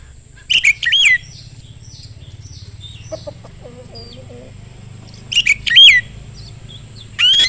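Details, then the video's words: Oriental magpie-robin song used to lure other magpie-robins into singing; two short bursts of sharp whistled and buzzy notes with long quiet gaps, faint softer chirps and a low hum between. "kacer gacor sangat cepat memancing kacer nyaut ikut gacor dengan suara tembus"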